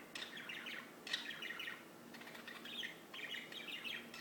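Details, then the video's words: Birds sing in long bursts of fast, jumbled twittering, each lasting about a second. There are brief pauses between phrases and a faint constant hiss behind them. "Just singing birds"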